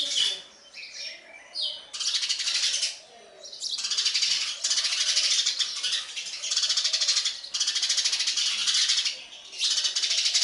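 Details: Baby sparrows calling for food as the adult bird feeds them. Loud bursts of harsh, rattling high-pitched chatter last several seconds each, separated by brief quieter gaps.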